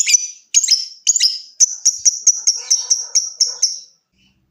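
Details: Lovebird ticking song meant to prompt other lovebirds to trill, with a few rough chirps followed by a steady series of clipped high ticks, about two per second, fading out near the end.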